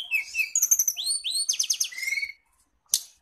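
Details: Training lure for caged kacer, cendet, murai and tledekan songbirds: quick descending whistles and chirps lead into a fast buzzy rattle and a long lower whistle, then silence broken by one sharp harsh note.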